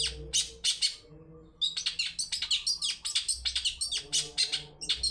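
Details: Long-tailed shrike lure song in the 'toet toet' style, meant to set other birds singing: a few scratchy high notes, a brief gap, then a fast, busy stream of chattering and squeaky phrases over a low background hum.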